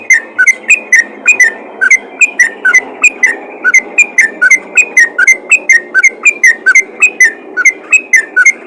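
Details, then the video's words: Yellow-vented bulbul calling other bulbuls with a steady, rapid series of short liquid whistled notes, each slightly downslurred, repeated about three times a second throughout with little variation. "panggilan burung trucukan ropel gacor memanggil trucukan lain"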